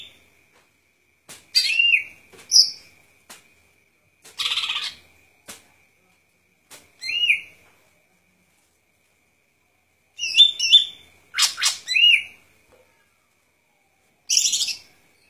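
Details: Golden-fronted leafbird giving scattered song phrases: short high whistled notes that curve upward, brief harsh squeaks and sharp clicks, separated by silent gaps of one to three seconds.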